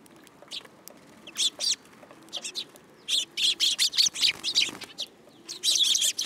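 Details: Group of sparrows hopping onto a hand at a Tenmangu shrine, July 8, 2022; sharp high tweets start sparse, then a rapid run of loud chirps in the middle, a short lull and another dense flurry at the close.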